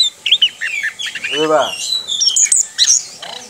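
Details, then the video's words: Captive orange-headed thrush pours out a rapid run of high, varied whistles and chirps; a lower, buzzy, drawn-out note cuts in briefly midway. "ANIS KEMBANG NGEROL"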